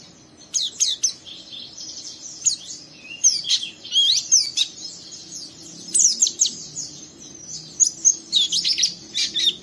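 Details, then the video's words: Young captive oriental white-eye in energetic rough chattering song, provoking another white-eye to join in; rapid runs of high, thin, scratchy twitters and sharp chips in repeated bursts over ten seconds. "Burung Pleci Muda Gacor merangsang Pleci Bahan ikut Ngeriwik Sampai Buka paruh"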